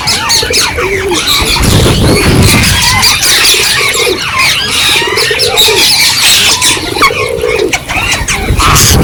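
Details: A wild flock of rose-ringed parakeets gives shrill, screeching squawks in quick overlapping bursts, with low rumbling background noise and other birds chattering.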